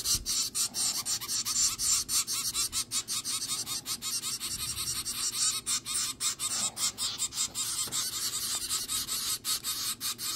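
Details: Nine-day-old zebra finch chicks, hand-reared in a small cardboard box warmed by a hand warmer, produce harsh, hissing calls repeated in quick, slightly uneven bursts throughout the recording.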